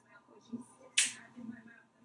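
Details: A talking pet parrot perched on top of the shower at night during its owner's bedtime routine lets out one sharp, hissy sneeze, a bright burst fading within a fifth of a second, with faint low murmuring in a quiet room.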